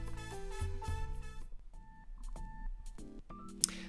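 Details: Instrumental music with sustained tones and struck notes plays indoors, and no animal voice stands out.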